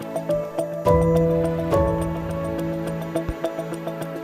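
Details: Soft ambient music of held chords and light plucked notes, with no animal voice.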